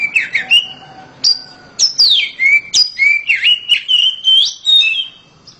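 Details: Oriental magpie-robin kept as a house bird, singing loudly: a varied run of clear whistled notes, sweeping slurs and sharp rising and falling phrases, delivered almost without pause.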